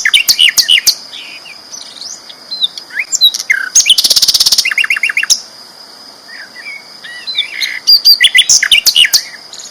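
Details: Energetic song of the sikatan londo flycatcher, a prized loud singer: clustered sharp chirps, a dense high rattle near 4 seconds, then flowing twitters and another quick chirp series, over a constant high-pitched whine.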